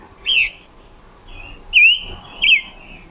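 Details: Red-billed leiothrix, a wild-caught female kept as a decoy for trapping and voice training, October 2021: three loud whistled phrases, each a sharp downward-and-up slur trailing into a held tone, with quiet gaps between.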